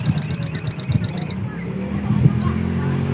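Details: Black-capped white-eye in full song: a rapid, very high, even trill of sharp repeated notes, about four per second, lasting over a second, then near silence with one thin rising-falling whistle and low background hum.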